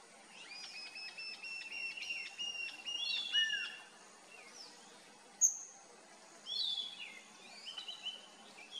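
Bluish-fronted jacamar giving a run of thin, high, squared-off whistled notes that rise and fall, then sharper upslurred calls; faint background hiss.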